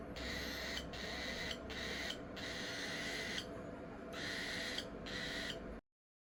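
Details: A baby cockatiel still on hand-fed baby food begs for food with raspy, hissing bursts repeated about every half second.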